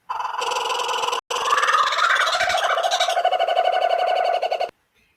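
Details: Kookaburra, a bird named for its laughing call, heard from a played recording: loud, harmonically rich chuckling in quick pulses, a brief break, then a rising and falling stretch of rolling laughter that ends suddenly.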